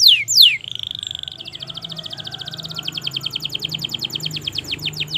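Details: Canary's long 'gacor' song for prompting silent birds: two sharp falling whistles, a buzzy note, then an extended rapid trill of high repeated notes slowing toward the end.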